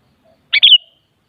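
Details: Sooty-headed bulbul (kutilang) song, played to prompt another kutilang to answer and sing: a short bright phrase, one quick note then a slightly longer warbled, falling whistle ending in a faint trailing tail, on silence.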